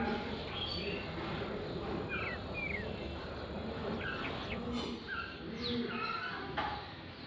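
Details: Sparrows in the early morning give short, bright chirps, scattered irregularly and overlapping from several birds, over a steady, dense background din.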